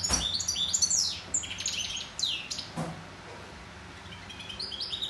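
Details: Singing European goldfinch delivers a lively burst of high tinkling twitters and quick descending sweeps in the first half, then grows quieter with scattered soft notes against low background hum.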